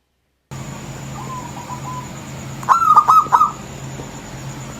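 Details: Male local wild zebra dove (perkutut lokal alam) whose voice sounds like a female's: a faint soft whistle, then a short loud tremulous trilled coo over steady low hum.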